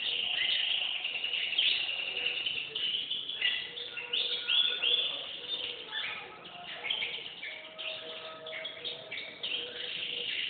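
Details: Canary song of varied phrases: rolling trills, sharp upslurred whistles and chattering note runs, with loudness rising and falling.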